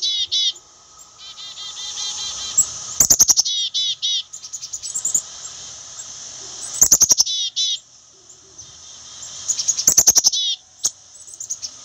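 Black-capped chickadee giving bursts of high, quick notes followed by short rows of thin, buzzy notes, repeated every three to four seconds.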